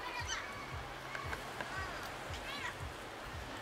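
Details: Austral parakeets at Laguna Parrillar National Reserve, Magallanes Region, Chile, give harsh, grating screeches, several overlapping calls within a few seconds, over a steady low rumble of wind.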